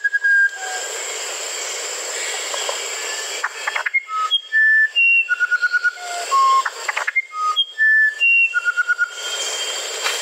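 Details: Musician wren song in two phrases of pure whistled notes that jump up and down in pitch, mixed with short rapid trills. Pauses between phrases are filled by a continuous high insect hiss.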